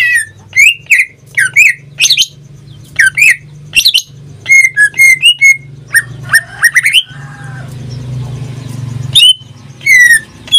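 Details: Pet greater green leafbird, kept caged and singing almost daily, delivers varied ringing whistles and quick chirped phrases. A short noisy rasp interrupts midway, and a low background hum runs throughout.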